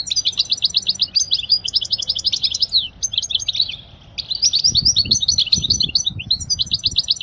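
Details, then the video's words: European goldfinch singing for young birds to learn: lively high twitters and tinkling trills in dense phrases, a short gap near four seconds, then more rapid chattering notes over soft low background noise. "أجمل تغريدة لطائر الحسون لتعليم الفراخ الصغار"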